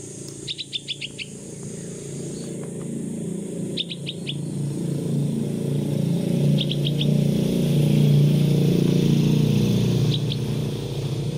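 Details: Young bulbul fledgling, 16 days old and kept until it can fly, calling its mother during flying practice in the open; short bursts of three to five sharp high chirps, spaced several seconds apart, over loud passing-vehicle rumble.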